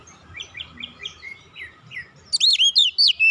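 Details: Oriental magpie-robin relaxed song, used as a lure to get untrained magpie-robins singing; faint high chirps first, then from two seconds on a loud run of rapid, sweeping whistled notes rising and falling.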